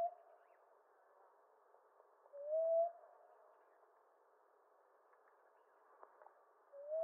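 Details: Common ground dove in eastern North America giving sparse soft rising coos, one clear note mid-clip with partial notes at either end, plus faint ticks.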